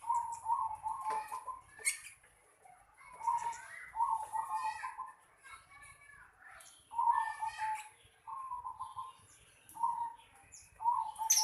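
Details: Zebra dove calling in a house yard: short, soft, low cooing phrases repeated every one to two seconds, partly overlapped by children's voices and chatter nearby.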